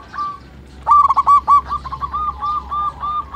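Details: Local zebra dove calling, used as a lure to prompt other birds: after a near-silent opening, a loud cluster of short curved notes comes in quick succession, then a softer, more spaced run of similar hooked notes.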